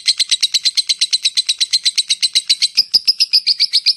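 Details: Lovebird giving its rapid "ngetik" chatter: a fast, even stream of sharp high chips, about four per second, steady throughout with a brief stumble near the end; indoors, no other clear sounds.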